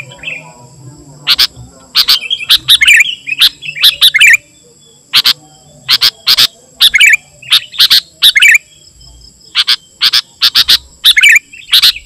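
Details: Lively Sooty-headed bulbul song meant to call wild birds and serve as a tutor for kept bulbuls: clusters of sharp, clipped chirps and short warbling phrases, separated by brief pauses, over a faint low hum.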